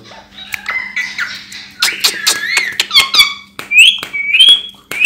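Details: Hand-tame bonded pair of rose-ringed parakeets in Hyderabad, talking indoors: squeaky, nasal speech-like phrases and sliding whistles, with sharp clicks and a steady low hum in a small room.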